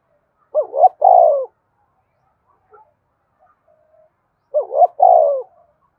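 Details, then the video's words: Spotted dove in thúc cooing style, used to provoke wild doves: two low phrases about four seconds apart, each of two quick short notes followed by a longer falling coo, otherwise quiet. "Tiếng cu gay thúc cực đỉnh/ cu gay kich boi nhanh noi gù"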